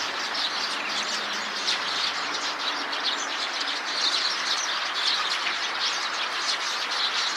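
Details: Eurasian tree sparrows calling as a group within a tree; constant overlapping chirping and chattering from many birds, with brighter sharp chirps standing out every second or so above the busy chorus.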